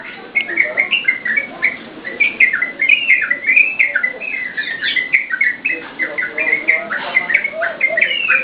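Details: Yellow-vented bulbul in lively song, used as a lure and master song for training cage birds: rapid bubbly chattering of short rising and falling whistled notes, continuous and overlapping throughout, with faint low background noise.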